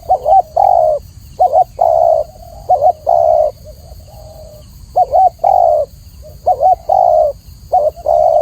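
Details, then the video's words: Tekukur or spotted dove giving a clear, repeated cooing song: a brief double-note coo then a sustained mellow coo, phrases coming roughly every one to one and a half seconds, over steady low-pitched background noise. "masteran burung tekukur atau spotted dove suara jernih"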